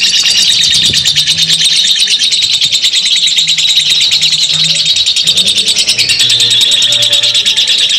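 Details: Lovebird delivering ngekek panjang, its long chatter: a high, fast-rattling trill held for the full eight seconds, with soft low tonal hums in the background.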